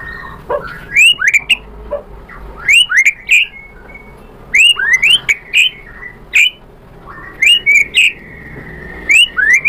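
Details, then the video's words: White-rumped shama lure song to provoke answering: groups of sharp upward-swept whistles in quick bursts, separated by short pauses, with a faint steady whistle in between. "PANCINGAN MURAI BATU biar EMOSI NYAUT jadi GACOR BONGKAR ISIAN | SHAMA BIRD"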